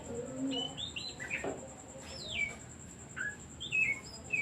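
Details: Oriental magpie-robin song meant to lure other birds into singing: a fast burst of whistled notes, a long downward-sweeping whistle, then sharp rising and falling chirps near the end, over soft low cooing early on and a thin steady tone.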